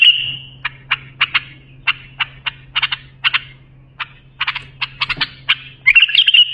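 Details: A bulbul sings a phrase meant for training young birds: a long run of crisp, clicking high notes, some doubled or tripled, opening and closing with sustained rattling trills, against a steady low hum.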